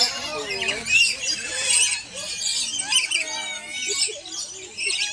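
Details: Lories at Cebu Safari and Adventure Park in the Philippines, a flock chattering together: dense, overlapping shrill chirps and squawks, high and continuous, with a low murmur of human voices underneath.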